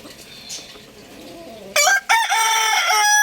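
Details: Rooster crowing loudly: after quiet low clucking, a sudden harsh crow with a short break, then a long sustained strained note held to the end.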